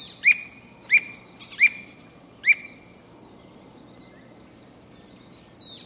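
A squirrel cuckoo gives four sharp, clipped notes in a quick series, then falls silent.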